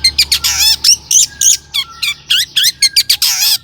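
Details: Energetic long-tailed shrike song with mimicked phrases, meant to lure other shrikes into singing: dense harsh chattering notes mixed with squeaky rising whistles, delivered rapidly without a break.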